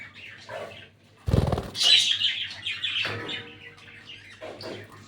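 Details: Breeding pair of lutino and albino red-eyed budgerigars, a loud burst of wing flapping followed by rapid raspy warbling chirps that fade into quieter twitters.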